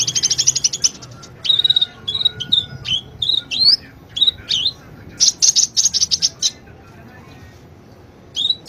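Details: Master song of a sunbird for tutoring cage birds, delivered in bursts: a fast buzzy trill, then looping high whistled phrases with brief pauses, another rapid trill, and a final whistled note after a silence.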